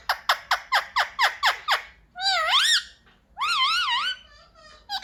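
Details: Pet parrot taught to say "mummy papa" starts with eight evenly spaced sharp clicks, then two long warbling, wavering voice-like syllables and a brief squeak at the end.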